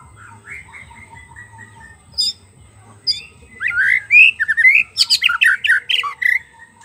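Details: White-rumped shama song used as a lure to attract wild birds: after faint scattered notes, a loud run of varied whistled phrases, rising slurs and sharp chips packed closely together over the last three seconds.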